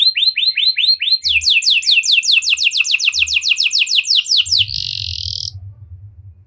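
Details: Canary in cengkok mewah song style delivering a rapid run of clear downward-sweeping notes, then a brief harsh buzzy phrase, followed by faint low rumbling.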